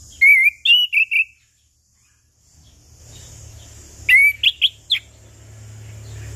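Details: Lure song of a chestnut-capped thrush for prompting mute birds to sing at morning, noon and evening: a run of loud wavering whistles, a pause, then another quick sequence of sharp whistled notes over a faint steady hiss.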